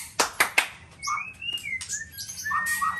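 White-rumped shama song: clear whistled notes, some long and rising, others short and low, after three sharp tapping or clapping sounds at the start.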